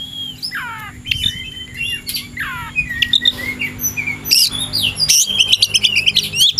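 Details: Oriental magpie-robin singing in the afternoon, primed to fight a rival: scattered harsh descending rasps early, then quick bursts of high twittering and whistles building toward the end over a low constant hum.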